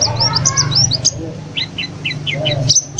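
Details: ['Newly acquired caged white-eye in full song three days after purchase; quick high twittering notes, then a run of five clear looping chirps, over a constant low droning hum.']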